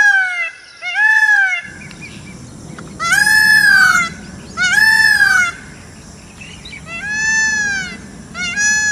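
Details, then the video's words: Very loud, piercing peacock wails in separate bursts, each a rich arched note rising then falling, spaced one to two seconds apart over a low background rumble. "peacock's sound"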